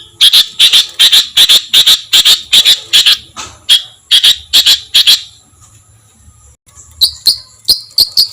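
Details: Songbird master recording with rough fills for training competition birds: loud sharp double chips repeated at a regular pace, a short pause, then higher thin chips.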